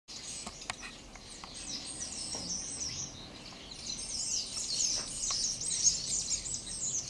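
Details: Starlings in a kaki (persimmon) tree, dated 12/07/12: dense, high-pitched chattering with squeaky, scratchy notes and short whistles, chirps tumbling rapidly over each other and growing busier toward the end, over a low, steady outdoor rumble.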